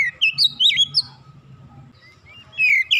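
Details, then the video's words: Oriental magpie-robin song for training raw kacer birds, 'nembak rapat' style: a few bright whistled swoops, a quiet pause over a steady low hum, then a loud slurred whistle returns. "terapi Kacer bahan cepat gacor nembak rapat"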